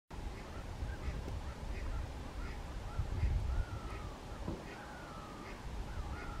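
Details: American flamingos (Phoenicopterus ruber) at a lagoon fish farm on 12 March 2022 give a run of nasal, goose-like honks, several a second, with a few drawn-out gabbling notes, over steady low wind rumble.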